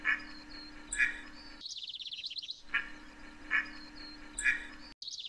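Scaly-sided merganser giving short, harsh duck-like calls about once a second, over a steady low hum, with bursts of rapid high chattering from another bird.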